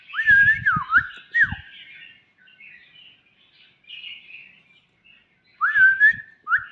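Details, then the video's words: A young white-rumped shama gives loud whistled phrases that dip and rise, then softer twittering and buzzy notes, with a final pair of rising whistles. Dull thumps sound beside the loud whistled parts. "ลูกแร้งคอล่อน😁 #birds #birdsong #นกกางเขนดง"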